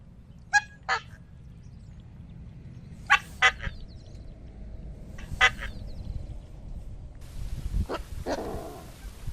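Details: Coscoroba swan song: sharp, harmonic honks, mostly in close pairs spaced a few seconds apart. A rushing noise enters near the end.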